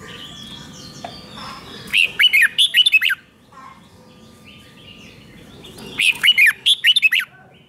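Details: Red-whiskered bulbul song played to caged birds to make them lively: two bright bursts of rapid, rising-and-falling whistled notes, each about a second long, over a faint background of soft chirps.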